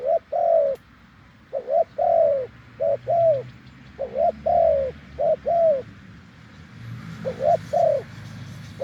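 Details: Wild spotted dove with a deep voice, cooing off-cue during branch decoying. Runs of paired coos, short then long and falling, repeated without long breaks. A low engine-like rumble sits in the background.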